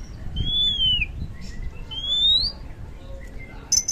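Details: Oriental magpie-robin singing as a lure for lazy singers: a level whistle that drops at its end, a second rising whistle, then faint short notes and a final high chirp.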